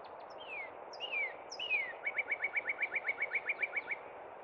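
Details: At Cub Run in spring, a northern cardinal gives three slow downslurred whistles followed by a fast, regular string of about fourteen short chipping whistles, all above a constant background rush.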